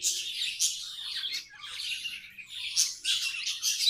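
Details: Steady warbling chatter of pet budgerigars, overlapping scratchy twitters and squeaky chirps with brief louder peaks.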